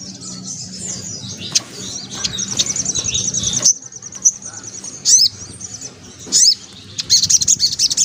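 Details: White-breasted woodswallow with a busy ngelaper ngriwik song: thin, high twittering and chatter, scattered sharp chips, then a fast stuttering run of shrill notes at the end, over a low hum.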